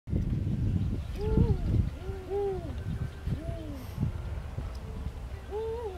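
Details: Spotted eagle-owls in Namibia at sunset, a mating pair, exchanging soft low hoots, two-toned and slightly rising then falling, answered back and forth several times, with people talking and low rumble underneath.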